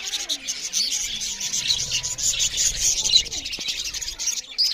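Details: A flock of budgerigars keeps up loud chirping while eating: steady high warbling chatter, thin squeaks and a few short rising whistles over a quiet background.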